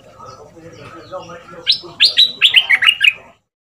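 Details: Caged Red-whiskered bulbul decoy of southern Thai dok taeng style, used to teach young birds to sing: after a soft murmur, a quick rising series of about eight loud, clear whistled notes.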